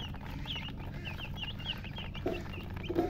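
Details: A few chicks give sparser, high, sweeping peeps at an uneven pace, with some lower soft clucking-like sounds near the end over a low hum.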